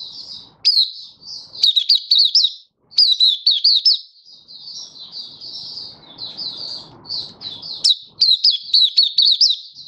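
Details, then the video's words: Malaysian white-eye kept as a caged songbird in Singapore, stable warm sunny weather, 20 March 2023: near-continuous high twittering song, loud clusters of quick slurred whistles alternating with softer rippling notes, light background rumble midway. "Malaysian Mata Puteh Happy Buka Sing"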